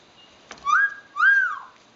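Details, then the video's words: Pet eclectus parrot indoors giving two clear whistled notes, each rising then holding steady and dropping slightly, half a second apart. "the eclectus parrot talking"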